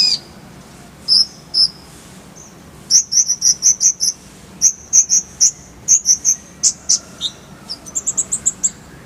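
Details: Brown-throated sunbird masteran song with rolling 'tembakan': a few scattered high chips, then a long steady series of sharp, piercing notes and a closing quick trill climbing higher.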